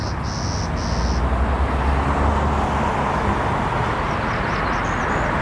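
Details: Clay-colored sparrow feeding up in the trees and singing late in the afternoon on 6 May 2022 in Toronto, Ontario: three flat, insect-like buzzes in quick succession, heard over a steady loud traffic rumble.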